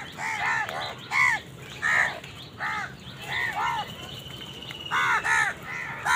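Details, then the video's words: Crows squabbling with wild birds over food; a series of harsh, arched caws comes roughly every half second to one second, some doubled, over a steady low background hum. "Crow bird crowing sound | Crows fight with wild birds for food"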